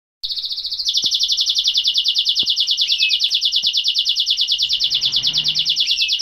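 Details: A Greek canary sings a long, unbroken rolling trill, rapid high notes pulsing about three times a second, with a few faint clicks behind it.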